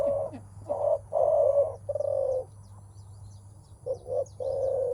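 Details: Spotted dove 'menguku' call on meeting a rival, mostly from males; four full, low coos in a row, a pause, then a short pair, with faint high chirps of small birds in the background.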